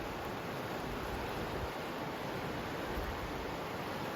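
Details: Even, rushing broadband noise like flowing water or surf, unbroken and without any animal sounds.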